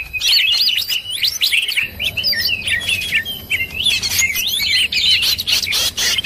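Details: Leafbird (cucak ijo) lure sound, specially mixed to attract wild birds, lively and agitated: dense overlapping chirps, whistled slurs and quick warbled phrases, high-pitched and nearly continuous, with several birds seeming to call at once and short bursts of louder chatter.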